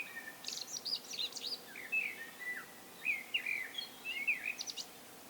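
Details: Common blackbird giving solo song, opening with a burst of high scratchy twittering, then several mellow whistled phrases that slide and warble, closing with more thin high notes.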